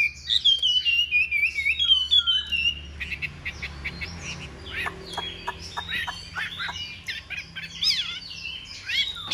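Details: Large Chinese hwamei performing a fighting display: a series of melodious looping whistles descending in steps, followed by rapid dry chips and varied tumbling notes.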